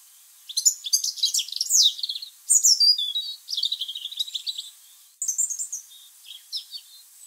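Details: Tame European robin singing from a tree above a garden on 27 November 2020: thin, high, wistful phrases of tumbling notes and trills separated by brief pauses; boiler noise filtered out.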